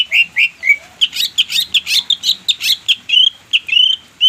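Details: Greater green leafbird (cucak ijo) song played as a lure to get a silent bird singing: rapid run of sharp, chirpy whistled notes, about four per second, bright and high, with short slurred upward flicks between them.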